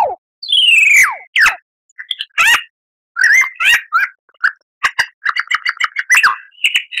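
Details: Lyrebird song as a master for cage birds to learn: a long downslurred whistle, then scattered sharp notes leading into a quick run of short, repeated chattering notes.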